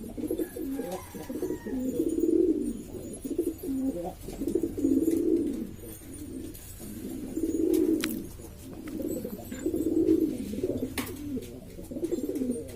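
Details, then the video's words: Lombok domestic pigeons in East Lombok, Indonesia, a hobbyist flock making a racket: deep throaty coos repeated about every two and a half seconds in five bouts, rolling and bubbling, with light tapping noises between. "burung merpati ini ribut sendiri"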